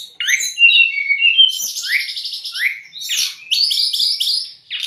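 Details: White-rumped shama training and lure song for young or stressed birds, with quick rising and falling whistled slurs and dense buzzy chatter throughout.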